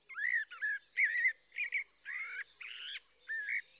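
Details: A blackbird sings a string of clear, flute-like phrases, warbled and slightly rising, separated by short pauses, with a few scratchier, more strained notes mixed in near the end.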